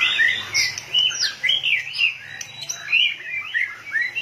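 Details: White-rumped shama in full fighting form, tail pumping rapidly, pouring out fast fluty whistles and warbled slurs, bright and continuous throughout.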